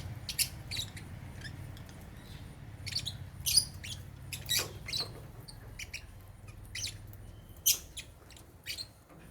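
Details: Caged African lovebirds feeding on holy basil at meal time give brief, high, clipped chirps spaced irregularly, some doubled, with a constant low hum underneath.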